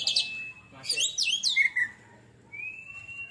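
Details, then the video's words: Kacer (Oriental magpie-robin) that has molted once, giving 'tembakan' song: a sustained even whistle, a burst of rapid swooping high notes, short lower notes, then a long rising whistle. "Tembakan Kacer Super Pedas Baru 1 Kali Ganti Jubah"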